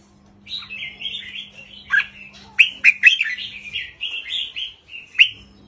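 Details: Short, easy song of a caged red-whiskered bulbul in the counting style 3-4-5, used to rouse other birds; a run of warbled, slurred notes with several sharp clicking accents over a faint steady hum.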